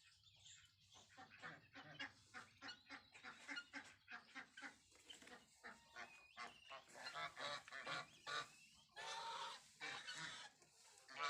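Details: Playful goose chicks: a long series of short, harsh honks and squawks, closely spaced and uneven, growing louder and denser toward the end.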